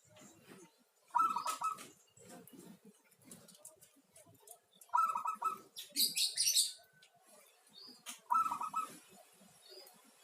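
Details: Song of a local zebra dove, three quick rattling coo phrases spaced roughly three to four seconds apart, with a brief burst of high, bright chirping from another bird between the second and third phrases.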